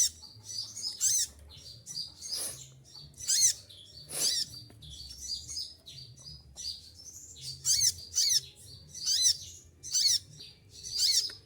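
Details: Olive-backed sunbird in moult, feathers falling out, still singing tirelessly in the shrill 'tembakan' (shooting) style: sharp, piercing high notes fired in tight bursts about once a second, with soft low background rumble.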